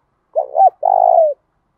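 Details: A single spotted dove song phrase in 'thổ đồng' style, used to provoke males: two quick throaty coos followed by a long, steady, slightly falling coo, low-pitched and clean.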